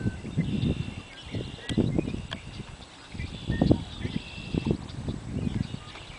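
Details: An American bittern thunderpumps at the Great Swamp in central New Jersey: deep, hollow, gulping pumps in low irregular bursts, with faint thin whistles of other birds far behind.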